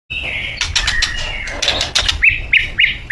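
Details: Borneo white-rumped shama singing as a lure to set other shamas singing: a long steady whistle, then sharp clicky notes and short rising whistled phrases about every quarter second.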